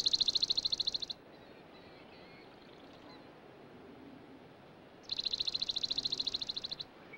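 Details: Swamp sparrow giving two fast, even trills of rapidly repeated notes, each lasting one to two seconds and separated by a few seconds of soft ambient hiss.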